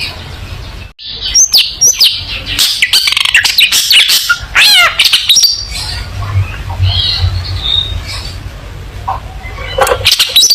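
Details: Long-tailed shrike tutor song for young birds: dense, loud medley of harsh chatters, clicks and sweeping whistled notes, easing into softer, quieter notes, then sharp bursts at the end.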